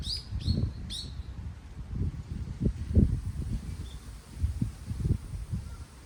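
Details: Three quick high chirps from a bird open the recording in Daejeon, South Korea, then only gusting wind remains, rising and falling in low rumbling waves.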